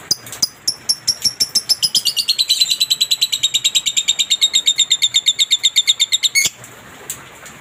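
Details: Lovebird masteran training recording for pet lovebirds: a long, fast chattering run of sharp, high, evenly repeated notes, about five per second for five seconds, pitch dipping slightly in the middle before stopping abruptly; faint hiss behind.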